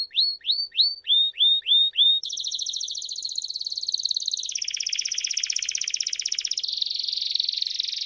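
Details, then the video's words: Timbrado canary training song for young birds, opening with six upslurred whistled notes, then moving through several long continuous rolling trills that change pitch and texture. "التغريد الأقوى للكناري لتعليم الفراخ THE BEST CANARY SINGING"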